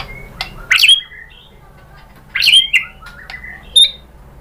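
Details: White-rumped shama sound used as a lure to provoke singing: scattered sharp whistled notes and short rising slurs separated by pauses, over a steady low hum.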